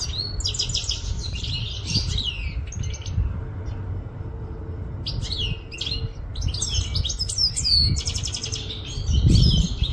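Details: European goldfinch from Quetta, singing bright, rapid twittering phrases of high tinkling notes and buzzy trills in bursts, with a pause near four seconds; steady low rumble of background noise throughout.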